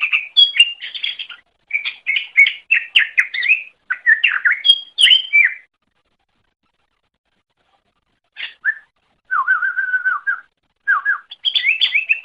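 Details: Greater green leafbird song for training other songbirds, with long runs of fast varied chirps and whistles, a long silent gap, then a steady trilled phrase and further chattering.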